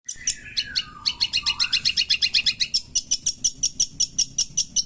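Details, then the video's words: Long-tailed shrike, pastol-style song in the morning: rapid sharp high chirps repeated nearly three times a second, with a lower gliding whistled phrase woven through the first half. "kicauan Burung Cendet Pastol di pagi hari"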